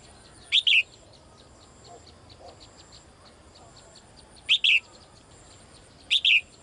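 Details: Female bird calling to the male: three bursts of high, sharp paired chirps, each a quick double note, spaced several seconds apart over a quiet background hiss.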